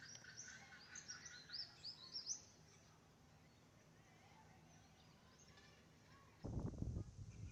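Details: Red-capped parrot of a nesting pair at a hollow in a dead Swamp Banksia, south-western Australia, giving quick, harsh, chattering calls for about two seconds, then quiet hum, ending with a loud rumble of wind or handling noise.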